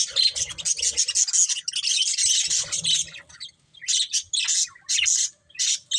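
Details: Budgerigars keeping up a continuous scratchy warble, then breaking into separate short buzzy chirps after a brief lull, with faint low knocking early on.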